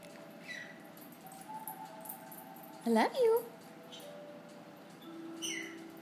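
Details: Pet Amazon parrot, female, indoors in the morning and vocalizing a lot: one loud squawk that rises steeply and falls again stands out mid-clip, set among faint tonal sounds and the low hum of a small room.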